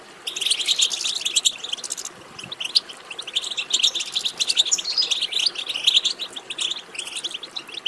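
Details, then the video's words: Dense European goldfinch twittering, used to prompt a goldfinch to sing: busy, overlapping high chirps and trills rising and falling in loudness almost without pause. "بتبتة ماهرة في تحفيز الحسون على التغريد"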